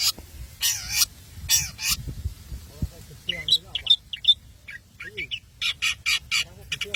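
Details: Long-tailed shrike from Madura in lively song: several long, rasping harsh notes, then a jumble of short, sharp whistles and squeaky chirps, ending in quick buzzy bursts.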